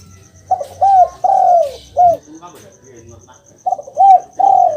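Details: Spotted dove call for prompting a silent kept bird to respond: a run of arched coos, short, long, short, then after a quiet pause a similar sequence ending in a long sliding coo; high rhythmic chirping throughout.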